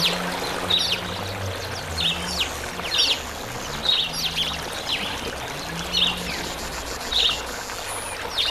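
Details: Two male Southern masked weavers chattering at a nectar feeder: short, buzzy, scratchy bursts repeated about once a second, some sliding, over a steady low hum.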